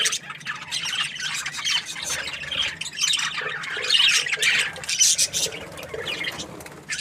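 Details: Budgerigar in a happy mood warbles continuously, scratchy high chirps and squeaky squawks tumbling together with barely a break.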